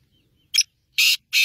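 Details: Kala Tetar, the black francolin, calling: a brief scratchy note followed after a pause by two loud, grating, buzzy bursts; no other sounds.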